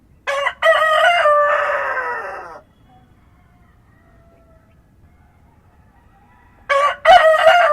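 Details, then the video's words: Rooster crowing at dawn in countryside ambience: a loud harmonic crow with a short opening note and a long falling tail, then quiet, then the next crow beginning near the end. "Rooster Crowing at Dawn"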